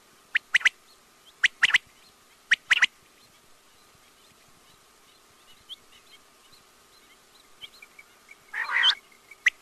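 Quail giving sharp, clipped double and triple notes in quick bursts, then a louder rough burst near the end, over a faint steady hum.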